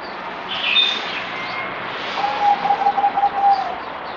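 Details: Merbok, the zebra dove, on 17 April 2020, fourth day of deworming. A brief high chirp from another bird comes first, then the dove's quick string of soft, evenly pitched coo pulses, about 1.5 seconds long.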